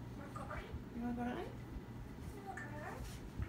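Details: Parrot talking indoors: a short, speech-like phrase of a few syllables with a steady tonal note near the middle, over a low constant hum in a small room.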